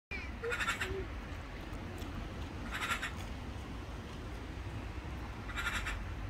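A magpie gives three short, harsh, rasping calls, spaced about two and a half seconds apart, over a steady low rumble of wind.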